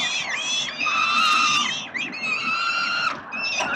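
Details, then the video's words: Melbourne, Australia, 30 October 2021: peregrine falcon chicks at 367 Collins calling for food from their father; sustained, drawn-out harmonic wails, slightly dipping in pitch, with a short break near two seconds. "Sokoły wędrowne - Tata karmi swoje głodomorki"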